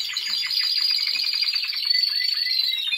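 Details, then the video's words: Short burst of Timbrado Español canary song from a 2023 training session: a sustained rolling trill of rapid repeated notes under a high, thin, held tone that slowly falls. "Timbrado Espanol Original . Im Training."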